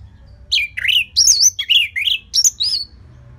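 Orange-headed thrush singing rich, warbled phrases that rise and fall, about seven quick phrases in three seconds. A faint low hum sits underneath.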